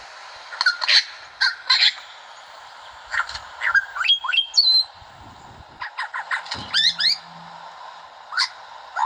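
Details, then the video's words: An Australian lyrebird runs through a varied string of mimicked sounds: harsh chattering bursts, clear whistled notes, quick rising sweeps and clicks, changing every second or so. "LYREBIRD: The Largest Of All The Songbirds It Uses Its Voice To Imitate Everything"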